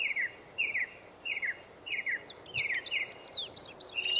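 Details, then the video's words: An Indigo bunting sings in a forest: about six short downslurred note pairs repeated evenly, then a faster burst of higher upswept notes, over soft background noise. "Indigo Bunting in the Forest"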